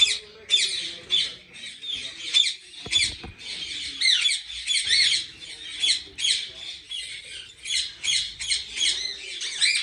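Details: Harsh, scratchy squawks from many ringneck parrots at a big breeding farm in Pakistan, coming in dense bursts with hardly a pause and overlapping throughout.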